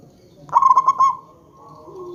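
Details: Local zebra dove singing as a lure to make other zebra doves answer: one clear phrase of five fast, bubbling coo notes, followed by quieter drawn-out tones.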